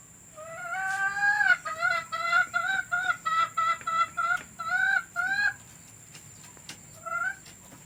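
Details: Hen sounds used to lure hens into laying eggs: a quick run of about a dozen short, nasal, bleating notes at a steady pace. Two more notes follow after a pause.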